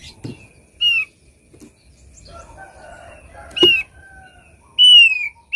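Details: Thick-billed white-eye, sound meant for luring birds: three separate loud whistles, the last longer and gently falling, with soft rustling, knocks and faint background chatter between them.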